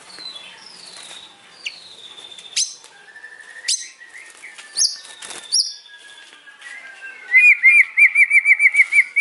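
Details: Afternoon song of a white-rumped shama, 8 July 2023: clear whistled notes, some long and level, some sliding down, with sharp high clicks, then a loud rapid series of about ten repeated chattering notes.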